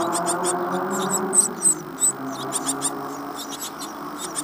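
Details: Great tit chicks in a nest box, Falmouth, UK, day 14 after hatching on 25 April 2011: fast, fairly regular high hissing chirps, about four a second, with some louder squeaks and faint low rustle.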